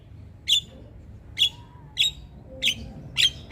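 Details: Javan myna recorded for training other birds, giving five sharp, high, clipped chip notes spaced about half a second to a second apart against a quiet background.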